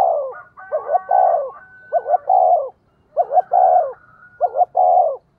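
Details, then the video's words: Fast-paced cooing by a decoy spotted dove used to lure wild birds: four low phrases of two short hoots and a sustained note in quick succession, overlaid by a faint high steady whistle. "Chim Cu Mồi thúc tốc độ có kèm nghe cực hay, bổi nghe phát gáy luân"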